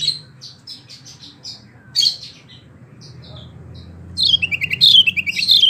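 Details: Wambie mini used for tutoring competition birds: soft scattered high chirps at first, then a loud fast run of bright, repeated whistled notes in the final seconds.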